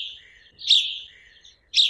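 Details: House sparrow giving its simple call, two short bright 'blip' chirps about a second apart rather than patterned song, with a thin continuous high hiss between them.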